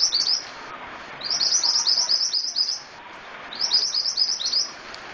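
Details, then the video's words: Scarlet-headed flowerpecker in active song (gacor): three bursts of fast, high-pitched, tinkling chirps, the middle run about a second long, separated by short silences. "Burung Mantenan Gacor"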